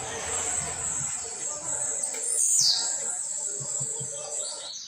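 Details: A blue-black grassquit, a singer in training at home, gives one sharp, buzzy note that swoops steeply downward, over a constant high hiss of other chirping and faint low knocks.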